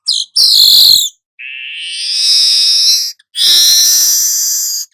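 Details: Golden-headed weaver singing, used for tutoring songbirds: a short chirp, then long harsh rasping buzzes with a thinner steady buzz between them, loud and clean.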